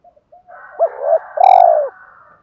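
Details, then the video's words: Spotted dove fight-urging coos, a short overlapping passage: arched, deep coos rise and fall over a soft humming coo, with a brief sharp click in the middle. "Tiếng chim cu gáy kích bổi/tiếng gáy gọi hai hậu vs thúc đấu/ cu gáy thúc đấu"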